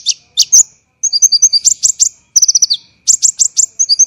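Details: Tight, harsh 'tembakan' song of an olive-backed sunbird (konin), recorded to train songbirds: sparse high chips, then rapid runs of piercing notes, a descending rattled trill and paired ringing tinks, over a faint steady tone.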